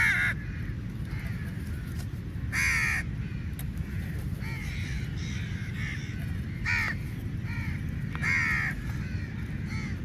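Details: Numerous crows quarrelling over meat at feeding time, scattered harsh caws at irregular intervals from several birds at varying distances, over persistent low rumbling ambience.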